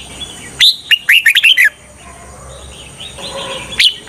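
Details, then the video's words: A red-whiskered bulbul kept as a trapping decoy gives a fast, bubbly phrase of six sharp, slurred chirps. Softer, quieter warbling follows, then one last loud note. "Chào mào mồi cực nhạy _ Âm thanh cho ae đi bẫy _ Chào mào mồi dụ bổi rừng"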